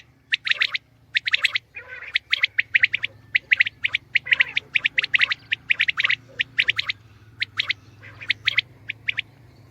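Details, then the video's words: Common quail, locally called batair, calling: rapid bursts of sharp clipped notes in quick clusters, repeated throughout with brief pauses, over a steady low hum. "Batair ki Awaz , Batair Sound vol 69 , Common Quail Sound 2020 | Common quail Calling"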